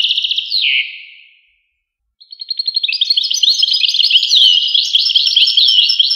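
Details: European goldfinch song: a burst of bright twitters that fades into a drawn-out slurred note, a moment of silence, then a rapid stuttering start building into a dense, tinkling warble.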